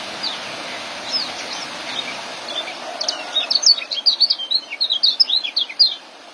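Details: Young white-eye singing in ngeriwik and joss style, used as masteran to train caged birds: soft scattered chirps early, then a fast burst of high, thin twittering notes from midway to the end.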